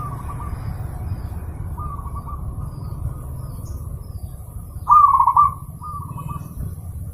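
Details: Zebra dove master song for training pet birds: soft trilled cooing phrases around a low-mid pitch, a quiet one at the start and another mid-clip, then a louder burst of rolling coos near the end, over steady low hum.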